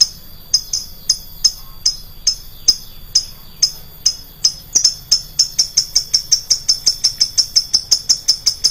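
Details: Lovebird lure sound with a loud, piercing voice: high chirps about twice a second that speed into a rapid, steady chattering series.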